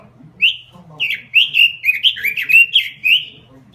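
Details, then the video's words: Robin singing eagerly: a steady run of rich, slurred whistled notes, each swooping down then up, delivered about twice a second with faint low hum beneath. "SUARA BURUNG ROBIN GACOR"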